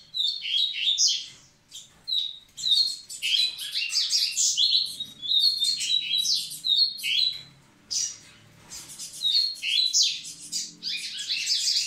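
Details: Double-collared seedeater singing to prepare the females: loud, fast, buzzy and twittering phrases with sharp clear whistles, delivered in long bursts separated by brief pauses, close and dominant.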